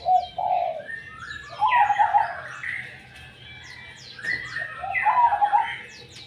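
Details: A zebra dove (perkutut) gives soft, rolling trilled coos in short phrases about every three seconds, over a steady patter of high chirps from other small birds.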